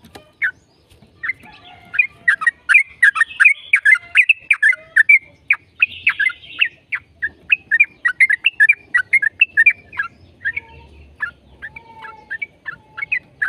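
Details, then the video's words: Yellow-vented bulbul in long, rapid song, used as a lure to prompt other bulbuls to sing: dense bubbly chatter of short warbled notes, many rising or falling, pouring out almost without pause over thirteen seconds. "PANCINGAN TRUCUKAN AGAR BUNYI burung TRUCUKAN GACOR ropel JADIKAN burung trucuk GACOR NYAUT"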